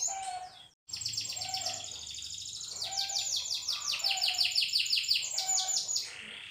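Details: Canary song starting after a short gap: long high rattling trills, then a drawn-out series of fast repeated sweeping notes in a rolling rhythm, fading at the close.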